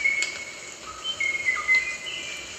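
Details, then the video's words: Rosella producing a chain of pure, steady whistled notes, each shifting up or down a step from the one before, against faint background hiss. "Different Rosella Bird Sounds | Rosella Bird Sound Effect"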